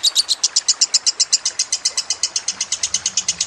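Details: Lovebird trilling on a training track for songbirds, with trickling water behind: piercing high notes repeated quickly, about six per second, slightly uneven in strength, with a faint low hum near the end.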